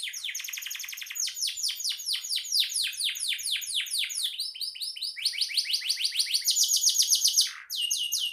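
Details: Canary in full song, used as a master recording for training songbirds: a long, continuous run of rapid trills and repeated downward-sweeping notes, phrases shifting in speed and pitch, high and bright with no other sounds.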